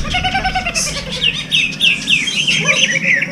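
Greater green leafbird song: a quick run of bright, downslurred whistles, about three a second, over a low background murmur.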